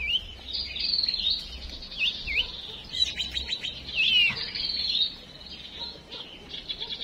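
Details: Female songbird decoy call meant to spur males into song, heard as thin high whistles and quick slurred chirps strung in short bursts, over a faint low background hum.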